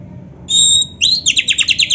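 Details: Oriental magpie-robin training recording: one long pure high whistle, then a quick series of about eight buzzy repeated notes.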